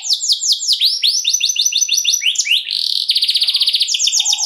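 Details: Canary delivering a long luxurious lure song to excite other canaries: fast repeated downward sweeps, a series of rising whistled notes, then a rapid high buzzy rattle and a quick two-toned trill.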